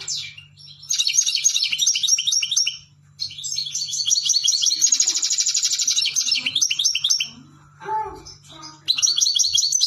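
A European goldfinch sings a long, fast, tinkling stream of twittering notes and liquid trills, pausing briefly between phrases; a low steady hum sits underneath.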